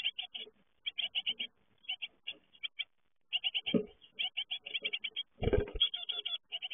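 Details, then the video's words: Fledging great tit chicks call in short clusters of fast, high, scratchy notes separated by quiet gaps. Two dull bumps and rustles are heard, one near the end. "Uitvliegen koolmeesjes"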